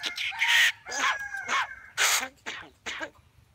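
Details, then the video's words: Common myna in a contest of talking between new and old birds, uttering five harsh, raspy bursts about every half second, some with a thin whistled tone running through them. "শালিক পাখির কথা বলা"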